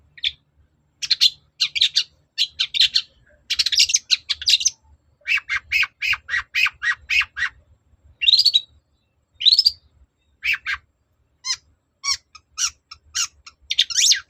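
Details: Persistent long-tailed shrike (cendet) song meant to provoke a reply: dense, varied chattering with harsh rasping bursts, quick mimicked notes and occasional upswept whistles, almost continuous for fourteen seconds.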